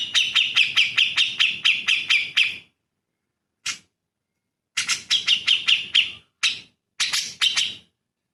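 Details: Grey-cheeked Bulbul (cucak jenggot) song used as tutor material for songbirds: rapid series of sharp, clipped high notes, about two per second, in bursts broken by short silences.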